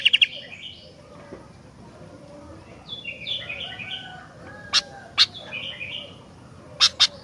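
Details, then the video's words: Sooty-headed bulbul singing short, descending whistled phrases in quick runs, punctuated by sharp, loud clicking chips, with a brief rapid rattle at the start. "Kicauan Gentilang Gacor Dooor"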